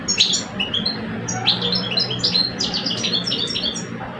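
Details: An older male European goldfinch and a two-year-old male duel in song. Scattered sharp chirps early on build into a quick run of bright, tinkling twitters, heard over a low background hum.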